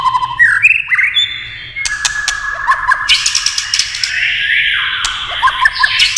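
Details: White-rumped shama singing, prompted by tail-tapping clacks: long whistled notes sliding between pitches, rapid trills and sharp vertical clicks, loud and varied phrases throughout.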